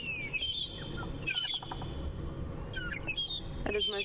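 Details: At sunrise on 5 June, two Magpie shrikes atop a tree in Djuma Game Reserve sing their morning song: clear, fluty whistles, some sliding downward, in short repeated phrases, with background rumble and soft speech.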